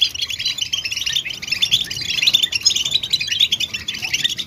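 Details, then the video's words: European goldfinch mating and readiness calls, played to encourage male goldfinches to sing: a thick mesh of quick, high, liquid chirps and buzzy trills running continuously. "بتبتة الحسون نداءات فعالة في علاج صمت الحسون"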